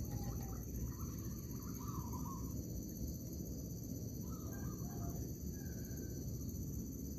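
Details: Zebra dove calling in an oil palm plantation while birds are being lured for trapping; a gentle, quavering, trilled coo comes in two bursts, the second followed by a short higher note, with rumbling ground noise throughout.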